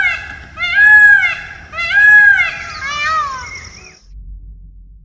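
A peacock gives three loud, nasal, wailing honks, each about a second long; the first two are arched and ringing, the third rougher and broken.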